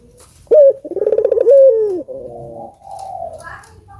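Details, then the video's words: Prolific albino collared dove, sound meant to prompt doves to call: a sharp rising note, a pulsing rolled section, then a drawn-out coo sliding downward, followed by quieter murmuring. "Suara Burung Puter Gacor ,merangsang burung puter agar bunyi"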